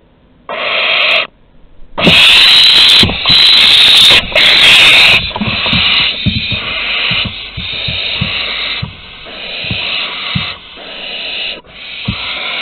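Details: Barn owls at Théding on August 23, 2020, an older one offering prey to a younger: a dense run of overlapping harsh hisses, loud at first, then a long series of rasping bursts that slowly fade.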